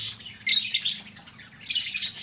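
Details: Captive white zebra finches in a breeding setup give two dense bursts of buzzy, nasal chirping separated by a quieter gap, over a faint low hum.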